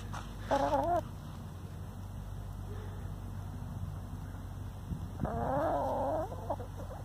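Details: A free-range hen complaining, tied to disputes over laying nests. Two short, wobbling, nasal moans come several seconds apart, the second longer and rising. A steady low hum runs underneath.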